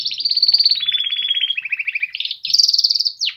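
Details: Polish male canaries singing a continuous rattling trill that slowly falls in pitch, then jumps higher into a faster buzzy roll ending in one sharp downward note.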